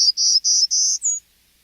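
A Golden-cheeked Warbler sings its second song type: four even, buzzy high notes, each about a quarter-second long, then a thinner, higher final note. Nothing else is heard.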